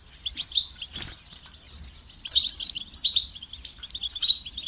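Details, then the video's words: Motivating song of a European goldfinch: sparse twitters at first, then dense high tinkling phrases of chirps and buzzy trills. A single sharp broadband knock or flutter is heard near the one-second mark. "Highlighting motivating songs for creative goldfinches in simple ways"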